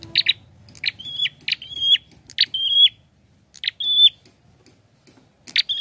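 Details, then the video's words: Prenjak song in quick phrases: paired sharp clicks, each followed by a short, steady, high whistle. The phrases repeat about every second, with faint low rumble early on. "SUARANYA PLONG ABISS..GACORR || PRENJAK KEPALA MERAH||PRENJAK KLAWU"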